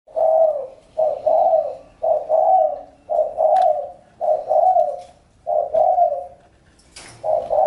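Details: Spotted dove cooing: low, soft, hollow coos repeated in two-part phrases roughly once a second, steady and mellow, with faint background noise.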